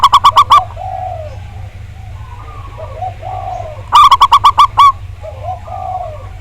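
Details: Lure recording of a big-voiced local zebra dove for prompting others to sing: a burst of rapid bright coo notes, a pause with quieter, lower cooing and steady low hum, then another run of about seven quick notes.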